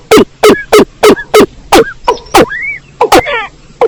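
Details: Watercock call used as a lure for trapping birds in rice fields: loud, deep booming notes repeated at a steady pace, about every third of a second, followed by thin, fast chattering bird notes.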